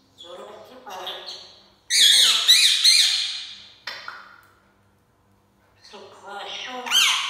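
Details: African grey parrot at home mimicking SubhanAllah: speech-like syllables, then loud rasping squawks, a silence, and more chattering phrases.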